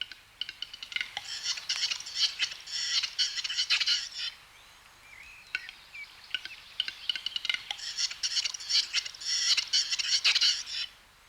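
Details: A male Western capercaillie (Tetrao urogallus) gives its courtship display song at a lek before dawn in spring snow in mountain forest: dry clicking and clinking bursts with a high, scraping hiss in two long phrases, and a few faint thin whistles in the pause.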